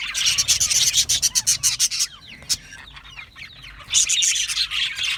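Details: Budgerigars chirping: a burst of rapid, evenly pulsed sharp notes for about two seconds, then softer scattered warbles and short rising tweets before the loud group chatter returns.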